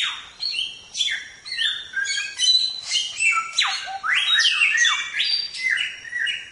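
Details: Samyong in full song on a training recording for songbirds. Rapid, varied whistled phrases tumble together, with many sharp falling sweeps and bright ringing notes, about two per second, for the whole stretch.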